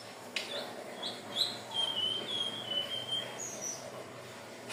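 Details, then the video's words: Song of a hill blue flycatcher, used for luring birds: a sweet series of high whistled phrases, some gently falling, strung together over about three seconds, with clicks at start and end. "SUARA BURUNG TLEDEKAN BIRU/SIKATAN NINON/SELENDANG BIRU"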